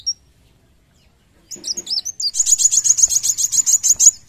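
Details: Kolibri wulung sunbird singing vigorously: a brief high note, a pause, a few sharp high warbled notes, then a fast run of very high clipped chirps repeated about four per second, loud and close.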